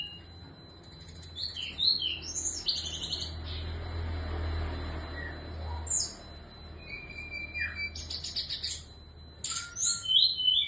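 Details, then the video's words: Female SRDC singing actively in the morning: scattered high buzzy bursts and sharp whistled notes over a low rumble of background noise. "SRDC GACOR DIPAGI HARI"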